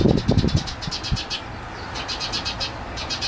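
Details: A baby Eurasian tree sparrow perched on a person's palm gives short, high chirps in quick bursts, over low thumping handling noise.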